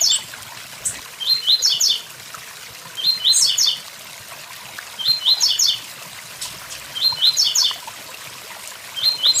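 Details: Blue-black grassquit singing 'tui tui zel zel' beside a waterfall: compact, high, buzzy phrases of stepped notes, repeated about every two seconds, with continuous rushing water underneath.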